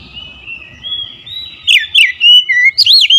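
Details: Oriental magpie-robin in agitated, fierce song, opening with a long thin sustained whistle, then breaking into loud, rapid, sweeping whistled notes that rise and fall sharply.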